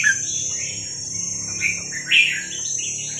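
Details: Young wild red-whiskered bulbul from Vietnam, used to train young birds: three brief, slurred warbling phrases spaced about a second apart over a constant high-pitched hiss and low background hum.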